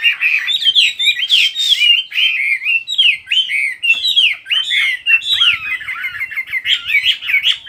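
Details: A songbird pours out an unbroken, rambling warble of sharp chirps, trills and quick rising and falling whistles, bright and high, with faint low thumps in the background.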